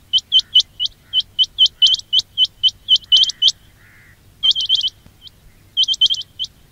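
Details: Quail (batair) trapping lure call: a fast run of bright, sharp chirps, about three per second, then a short pause with a faint lower tone, then further bursts of quick chirps.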